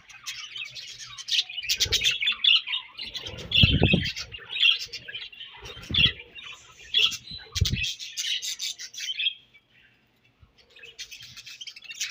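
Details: Budgies chirp and warble in rapid high bursts while eating their favourite food, broken by dull pecking thumps; the chatter stops briefly near the end, then resumes.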